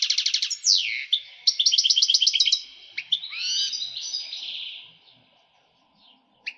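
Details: European goldfinch excited song with female call for breeding stimulation: a quick trill and swooping note, a burst of rhythmic chattering, then a wavering liquid phrase fading into near silence and one last sharp chirp.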